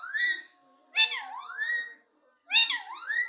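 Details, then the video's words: Pet parrot, described as a great talker, indoors: three bursts of shrill, wavering voice-like phrases with rising and falling swoops, separated by short silences. "sbse jyada bolne wala parrot"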